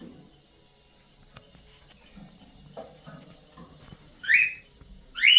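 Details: Cockatiels calling: after a quiet stretch with faint low rustling and knocks, two loud rising whistled notes sweep upward near the end, the second cut off at the close.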